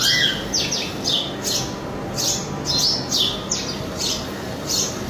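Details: Male house sparrow giving a run of sharp, high chirps, roughly two per second, each a quick dropping note, with faint steady background hiss.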